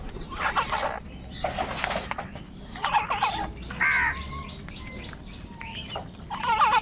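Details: Crows calling loudly: harsh, raspy caws come in bursts of about half a second, near the start, again around two and three seconds and at the end, with thin high chirps of small birds in between.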